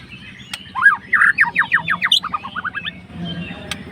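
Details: Fighter white-rumped shama singing to stir up an opponent: a whistled upslur followed by a fast, even string of descending slurred notes and a short twittering tail, with a constant low hum behind.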